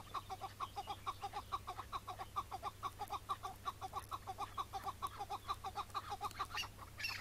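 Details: Chukar partridge calling on a May 2017 morning during trapping. A steady run of short, clucking chuk notes repeats about twice a second, with faint rustling and a low steady hum behind it.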